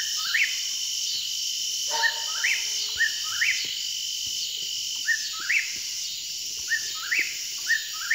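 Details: Eastern whip-poor-will singing in September 2021: a rapid run of sharp, rising whistled phrases, roughly one every half second to second and loosely spaced, over a steady high insect chorus.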